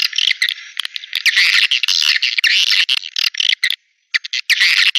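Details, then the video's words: Swiftlet lure sound for bird houses: a thick, buzzy chattering chorus with slurred chirps and clicks, dropping out briefly near the end before resuming. "Suara Walet Panggilan Ampuh"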